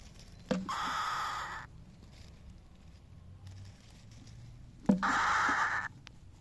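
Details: Cockatiel (Nymphicus hollandicus), call.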